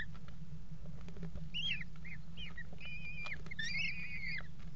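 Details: Mating Eurasian kestrels on a nest-box edge at a water tower, February 2018: a few rising chirps, then drawn-out wavering trilled whines growing louder toward the end, with a persistent low hum behind.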